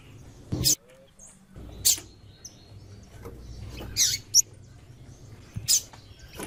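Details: Female white-throated seedeater calling to excite the male: brief, piercing high-pitched chirps, five or so, some in quick pairs, scattered across six seconds over a quiet, low rumbling background.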